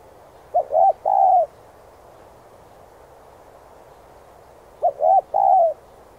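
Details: Spotted dove song for training decoy birds, the three-note cooing phrase heard twice, short note, curved coo and sustained coo, in otherwise quiet surroundings.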